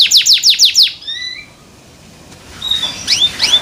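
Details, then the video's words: Pet canary sings five rapid sweeping downslurred notes, then thin whistled tones, a short quiet gap and a few soft slurred chirps. "THE SOUND OF CANARIES CAN MAKE OTHER CANARIES JOIN TO SING"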